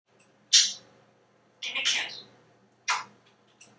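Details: Male African grey parrot, hatched 1997 and living in a Texas home, practising imitated sound effects: three breathy, hissing bursts about a second apart, with a quieter fourth at the end.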